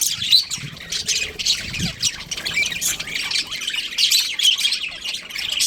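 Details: Breeding pair of budgies giving raspy squawks and harsh chirps over a continuous buzzy chatter, with a few soft low knocks early on.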